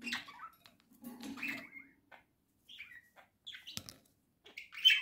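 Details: Home flock of pet budgerigars calling with scattered short chirps and squeaky notes, some sliding, with a soft low chatter and brief gaps.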